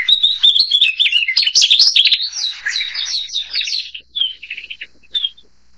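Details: Narcissus flycatcher (Ficedula narcissina): a fast, high, jumbled run of sweet whistles and chirps for about four seconds, then a few scattered notes trail off.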